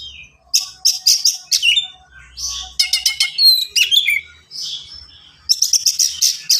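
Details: Oriental magpie-robin in fast, dense singing with unusual mimicked fills and sharp bursts, used as a tutor and lure for untrained birds: clusters of sharp clipped notes and high whistled slurs in spurts, short pauses, faint low hum.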